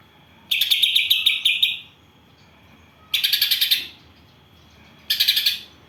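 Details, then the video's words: Greater green leafbird singing an isian of gereja and kapas tembak. Three bursts of fast, scratchy, buzzing chatter come about two seconds apart, the first longest at over a second, all over a quiet background. "Cucak ijo isian Gereja vs Kapas Tembak"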